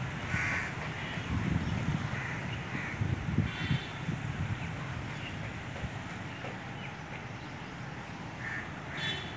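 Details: Crows calling to each other: a few harsh, hoarse caws spaced several seconds apart over steady low wind rumble.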